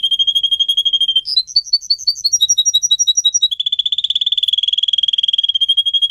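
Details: Caged singer canary used for song training, delivering a quick trill, then a bouncy run of repeated two-part notes, then a long, very rapid rolling trill.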